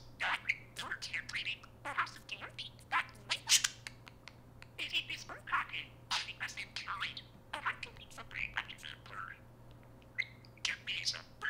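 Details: A talkative pet parakeet indoors keeps up a long, fast run of scratchy, chirping imitated words, grouped in quick bursts with brief gaps. It repeats phrases like "Hey Siri," which wake the iPhone assistant.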